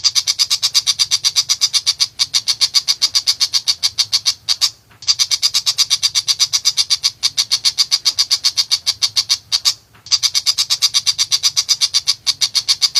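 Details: Tiger Shrike giving a harsh, rapid, high chatter of rasping notes, about eight a second, in long unbroken runs with brief pauses every few seconds.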